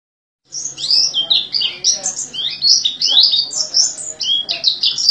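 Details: An Oriental white-eye sings a fast, unbroken stream of high, thin twitters and chirps, varied notes tumbling one after another with barely a pause, described as a very vocal, ecstatic singer.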